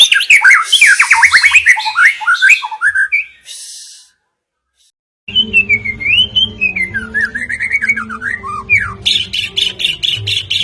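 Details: White-rumped shama singing in the rough rolling 'tembakan ngerol kasar' style, meant to provoke rival birds. Fast whistled trills and sweeping slurred phrases, a pause of about a second, then a long wavering whistle and rapid high chips, over a faint low hum.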